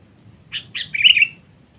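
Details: Sooty-headed bulbul lure sound for calling rivals, 'cengkram' style: a short chirp followed by a rolling, slightly descending chattered phrase lasting under a second, clear against a quiet background.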